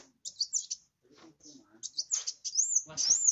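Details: Kowul (grey-cheeked bulbul) in full song, kept as a lure for less vocal birds: bursts of sharp high twitters, a brief quieter gap, then a rising, looping trilled phrase at the end.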